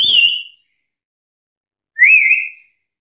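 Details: Black-capped lory, loud and challenging rivals: a high shrill whistle sliding down, then after a short pause a lower, wavering rising whistle.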